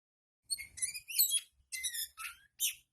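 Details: Oriental magpie-robin song used as tail-opening therapy for kept birds: a short burst of bright, varied whistled notes, some rising and some buzzy, in four quick phrases separated by brief pauses.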